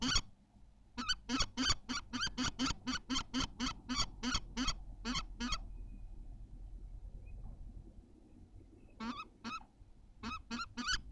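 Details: Common kestrel during egg laying at Théding, 14 May 2023: a fast series of harsh, grating notes, then a quiet spell of several seconds before a few more scattered calls resume.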